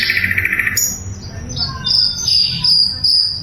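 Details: Flycatcher known as sikatan londo, loud and very clear, used as a training recording for songbirds; a buzzy trill opens, then pure high whistled notes, some held and wavering, with a faint low hum.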